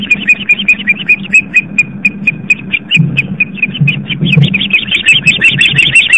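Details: Female osprey at a live-camera nest on Long Island, New York, calling in alarm as she chases an intruder off around 7:50 pm: dense, rapid run of sharp whistled chirps, slightly irregular, over a steady low hum.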